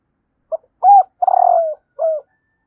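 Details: Female spotted dove cooing to stimulate males, one clean phrase: a short lead note, an arched coo, a long purring croo that sinks, and a final falling coo in otherwise silent surroundings.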